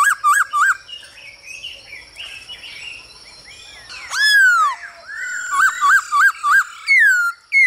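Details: Singing male hwamei with female calls, used to coax other birds into song. Quick looping whistles give way to quieter scratchy chatter, then long downslurred whistles and a lively string of ringing, bouncing notes.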